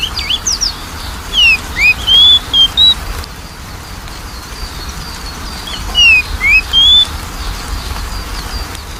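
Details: Magpie-robin song played as a lure for a reluctant singer: two short phrases of four clear whistled notes, a falling slur followed by rising and level tones, spaced several seconds apart with quiet between.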